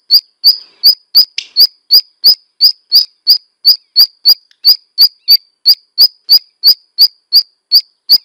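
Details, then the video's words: Black redstart giving a long, steady series of short, sharp, high clicking notes, about three per second and evenly spaced, with no warble between them, over a quiet background. "Black redstart song and calls"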